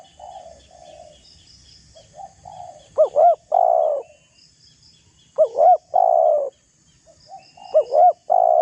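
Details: Spotted dove used as a lure to provoke rivals: soft low coos at first, then three strong phrases of double coo plus long sustained coo, with light chirping from other birds behind.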